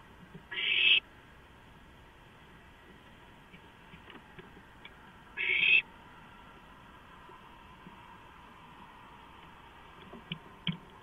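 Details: Owlets at a rodent delivery, 23 March 2015: two short, noisy hissing screeches about five seconds apart, separated by soft scratching and tapping sounds.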